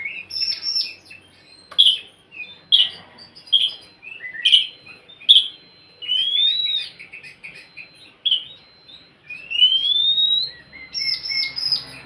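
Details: Oriental magpie-robin song to get a quiet bird singing: a series of sharp clipped notes about once a second, then a long rising whistle and a burst of fast twittering.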